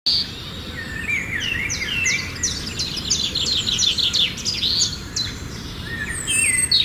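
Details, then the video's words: Sparrows at play, giving a busy stream of quick high chirps and tweets, overlapping notes sliding up and down, continuous over several seconds against a low steady background hum. "Sparrow playing"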